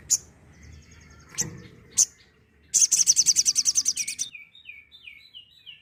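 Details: Sooty-headed bulbul in the tembakan style used for training songbirds. After a few sharp separate chirps comes a dense, rapid high rattle of about fifteen pulses, then a soft series of downslurred whistles.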